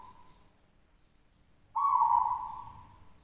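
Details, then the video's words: Local zebra dove from West Java, first-place winner at a Javan singing competition, gives one loud, drawn-out, even cooing note that slowly fades after a brief quiet start; the background is otherwise still. "PERKUTUT LOKAL JUARA 1"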